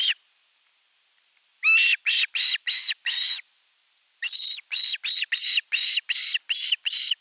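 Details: Osprey begging for fish at a Finnish nest, 10 August 2021. Loud, shrill, grating screams come in two rapid runs of harsh repeated notes, each note with a rising, bent tone, with a short silent break between the runs.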